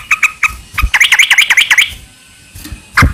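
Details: Sooty-headed bulbul song meant as a lure for other bulbuls: a few spaced chirps, then a quick run of about eight bubbling notes, silence, and one last sharp note at the end, with faint low rumble beneath.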